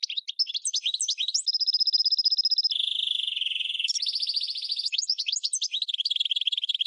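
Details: Goldfinch × red canary hybrid singing as a tutor for training birds: rapid high twittering notes, then sustained buzzy trills and rolling tours that shift pitch, ending in quick repeated chips.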